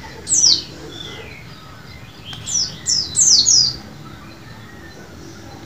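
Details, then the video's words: White-eye singing to stimulate other caged birds: a single high downslurred note, a short quiet gap, then four quick piercing descending chirps in a row against a quiet background. "VOLUME TEMBUS untuk masteran maupun pancingan pleci macet bunyi"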